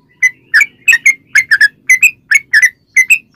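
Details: Sooty-headed bulbul in ropel song used as a lure for other bulbuls: short paired whistled notes, each couplet a quick down-and-up slur, repeated about every half second over faint low noise.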